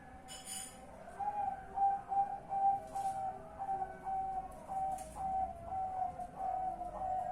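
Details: Zebra dove calling at night, a call given before sleeping, recorded 10 March 2021: a run of soft, mellow, tonal coos, fast and somewhat uneven in rhythm, over a faint noisy background with brief rustles.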